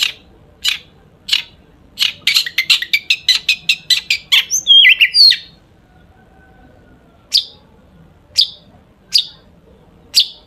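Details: Long-tailed shrike giving lively song full of mimicry, used to stir other shrikes to sing; spaced sharp notes build into a rapid string of high chips and buzzy twists, then slow single chips.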